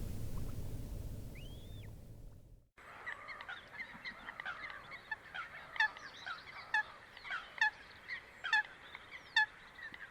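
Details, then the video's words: Wetland Coot calls in natural habitat: after an opening drawn-out whistle and rumble, a series of short, sharp, clipped notes repeated about once a second, with other softer calls behind. "Coot Bird Sound | Real Calls of the Wetland Water Bird"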